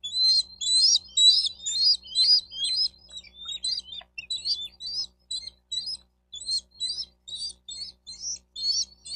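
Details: Sustained chittering from a bald eagle at its nest in Miami-Dade County, Florida, recorded on a nest cam 4 June 2023 around 12:35; quick high squeaky notes repeated steadily about twice a second throughout.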